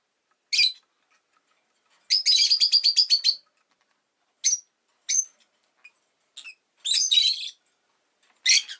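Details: Rosy-faced lovebird chirping: sharp, high, scratchy chirps scattered through the clip, including a rapid run of about eight pulsed notes, then single and paired calls separated by silence.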